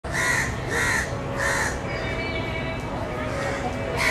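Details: Young crows in the nest calling for their mother give three harsh, nasal caws about every 0.6 seconds, then softer calls and a final caw, over steady background hum.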